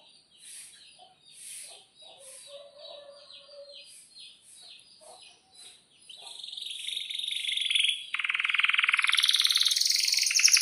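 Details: Canary song recorded to tutor young birds learning to sing. Faint repeated chirps and soft lower notes in the first six seconds, then a loud, dense rolling trill that rises and continues strongly to the end.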